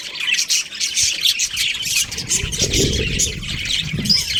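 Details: Budgie breeding pair chattering with harsh squawks and high chirps, while a low rumbling noise runs beneath from mid-way onward.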